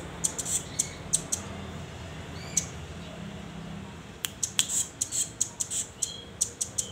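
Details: Young velvet-fronted nuthatch, hand-reared and just learning to perch and sing, gives short clusters of high, sharp chips, then a pause, then a denser run of rapid chips near the end.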